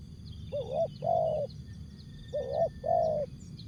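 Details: Asian spotted dove giving two low paired coos in jergot, tapau and bungkus style, each a short upslurred note followed by a longer warm coo, with a steady high whine and murky low background.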